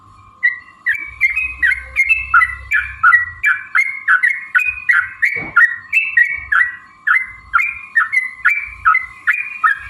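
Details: Yellow-vented bulbul singing a long rapid-fire 'ropel panjang' sequence, used to provoke rivals to sing and fight; continuous chattering, bubbly phrases about three per second for ten seconds, one loud click midway, steady hum beneath.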